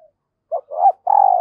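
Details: Calling female dove, sounding to stimulate males: two short low coos, then a steady, sustained, slightly vibrating hooting note at the end.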